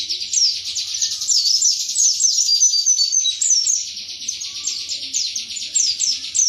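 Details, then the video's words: Wiksar pleci, a white-eye from Indonesia, in 'tembakan materi' song: continuous high, fast twittering made of repeated downward-sweeping chirps, around four per second, steady throughout. "Pleci WIKSAR Tembakan MATERI"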